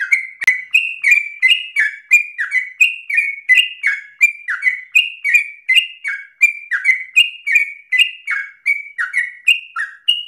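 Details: Persistent 'ropel' singing from a sooty-headed bulbul, meant to tutor other birds: a steady chain of quick falling-then-rising whistled couplets, almost three per second, loud and unbroken throughout, with one sharp click at the start.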